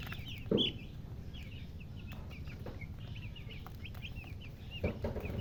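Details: Chicks peeping at a looser pace: separate short high chirps spaced through the stretch, one louder squeak early on, with faint knocks and a low background rumble.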